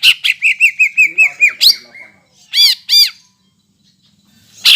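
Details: Greater green leafbird lure song intended to provoke rivals: about nine identical short whistled notes repeated rapidly, followed by a few loud harsh rasping calls.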